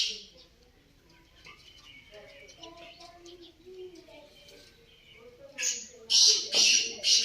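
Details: Black francolin (kala teetar) bursting into a series of loud, harsh, grating notes at the end, after several seconds of softer mixed bird chirps and tonal notes.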